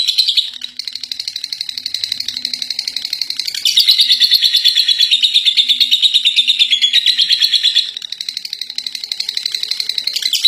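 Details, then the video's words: A contest champion lovebird singing its long chattering ngekek: an unbroken, rapid, high shrill chatter, louder in the middle section, slightly softer near the end, with pulses at about three per second. "Love Bird Juara 1 ngekek 3 menit"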